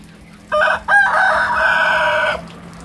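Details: Roosters crow against each other. This one gives a clipped first note, pauses briefly, then pushes out a sustained, loud crow lasting nearly two seconds, steady in pitch, with a faint low hum behind it.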